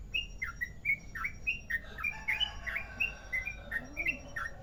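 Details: Long ropel song of a Merapi yellow-vented bulbul: quick chirped notes, some rising and some dipping, delivered in a fast, uneven series against faint background noise.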